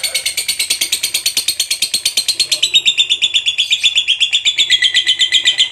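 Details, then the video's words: Lovebird fighter bird delivering its long chattering ngekek song, a steady rattle of shrill, scratchy notes repeated quickly without pause, getting louder and stepping to a different note pattern midway. "SUARA BURUNG LOVEBIRD FIGHTER GACOR NGEKEK PANJANG"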